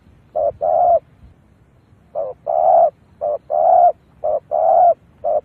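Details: Spotted dove call used as a lure to draw in wild doves: low, hollow coos in repeated short-then-long pairs, each drawn-out coo held for about half a second, with a quiet background.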